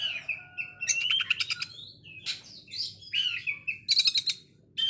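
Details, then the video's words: Oriental magpie-robin singing harsh rapid-fire bursts likened to a sewing machine, mixed with clear whistled notes and buzzy stuttering rattles in quick, varied succession. "KONSLET TEMBAKAN KASAR , BAGAIKAN MESIN JAHIT"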